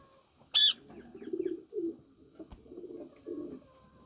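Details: Yellow Indian ringneck parakeet: one sharp, loud, high screech near the start, followed by soft low cooing from pigeons or doves in the background, with a single click midway.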